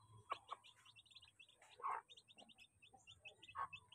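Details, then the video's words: Crowded chicks at home while feeding give rapid high cheeping notes in near-continuous series, broken by a few louder, lower squawky calls. "crowd of chick chick feeding"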